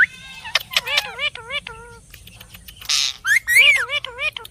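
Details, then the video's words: Parrot giving a series of wavering, warbled calls and sharp squawks, some clipped and repeated, with a burst of harsh broadband noise midway, then rising whistled sweeps and quick looping notes. "parrot natural sounds"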